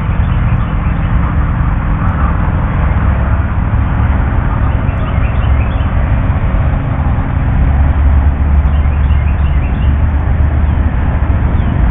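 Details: A steady low rumble like traffic or wind fills the recording, with no animal calls heard.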